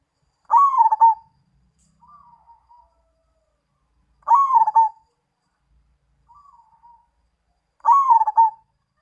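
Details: Perkutut Mojopahit, a zebra dove, repeating its song about every three and a half seconds: three loud, bubbling, stuttered coos, each followed by a faint, softer low coo, with nothing else audible.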